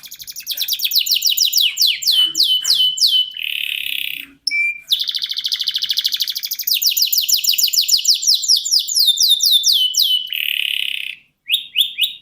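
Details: Canary giving a lively, long-drawn ngerek song meant to prompt young birds to learn singing. Fast series of sharp falling whistled notes repeat in long runs, broken by short buzzy trills and brief gaps.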